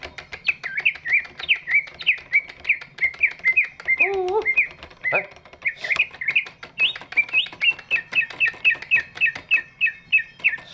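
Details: Big greater green leafbird singing as a lure for lazy birds: a long sequence of chirped, twisting whistled notes, roughly two per second, interrupted briefly by a lower call and a sharp knock.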